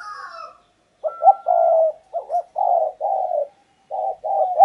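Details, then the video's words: Decoy spotted dove calling to lure wild doves: a run of low, mellow coos, a quick double note then several longer sustained hoots, with a thin whistled bird note above at the start. "chim cu gáy mồi cây"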